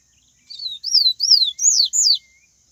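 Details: Papa-capim of the Bahian type singing in the wild, a song offered as a recording for teaching other birds: five clear, high whistled phrases in quick succession, each an arching sweep rising then falling, over a steady faint hiss.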